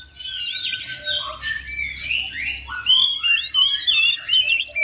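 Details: Oriental magpie-robin kept at home joining in after another bird calls, mixing rich whistles, buzzy notes and quick chirps that grow louder toward the end, low hum behind.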